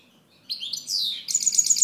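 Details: European goldfinch song fragment: a brief high twitter and descending slur, then a dense run of fast tinkling notes to the end, with faint low hum behind.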